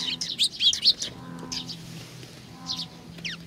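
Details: Sparrows arriving for food at Tenmangu shrine, Nakanoshima, 21 June 2020: a quick flurry of bright chirps at the start, then a lull with a few distant notes over a low droning hum.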